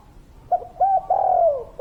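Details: Kuk 3 spotted dove from a local wild line: a clipped first note, a smooth second coo, then a long mournful tone gliding down in pitch before the phrase restarts.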